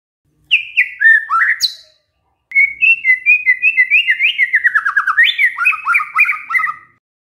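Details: White-rumped shama delivering canary-style mimicry: a short burst of whistled, sliding notes, a brief pause, then a long rapid run of repeated chirps rising and falling, about three per second, ending in descending slurs.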